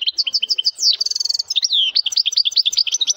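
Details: Strong song of a male European goldfinch: quick repeated high chirps, a fast silvery trill, a downward-slurred whistle, then more bouncy, evenly spaced twittering notes.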